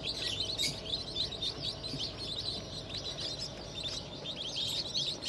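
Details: Dozens of newly hatched chicks (Black Australorp, Sussex, Fizan; hatch of 25 May 2023) produce a thick wash of shrill overlapping peeps with faint background noise.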